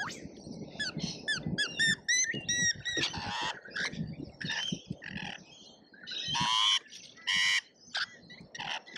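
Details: At a busy feeder in Australia, lorikeets give quick repeated chirpy notes that give way to loud, rasping screeches in irregular bursts.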